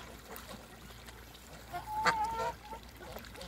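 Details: Toulouse geese playing in water in a backyard on a farm; a single drawn-out honk, nasal and slightly rising, held about half a second, over a background of splashing water and a low steady hum.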